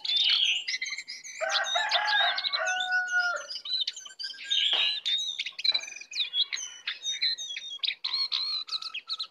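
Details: Lesser shortwing (cingcoang coklat), a wild bird come to attack, sings a rich, fast, high jumble of chirps and whistles, with lower sustained tones early on and dense twittering throughout.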